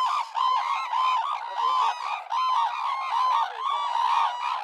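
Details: Red-crowned crane (Grus japonensis), call.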